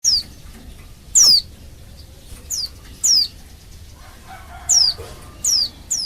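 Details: Female white-eye calling to males to lure them into singing: thin, high whistled notes sliding sharply downward, given singly at irregular intervals of about one to one and a half seconds, with faint background hiss.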